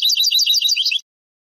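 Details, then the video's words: Sebtaoui-style song of a European goldfinch, Moroccan tradition of the late 1990s, digitised from cassette: a one-second rush of tinkling, twittering high notes that stops abruptly. "CANTO DEL JILGUERO ** شريط نادر و قديم للتغريد الحسون بالنمط السبتاوي المغربي"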